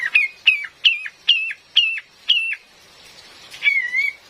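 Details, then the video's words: Female Cream-vented bulbul lure call amid rain: six sharp downward-hooked notes about half a second apart, then a softer wavering whistled phrase. "SUARA ASLI KAPAS TEMBAK BETINA"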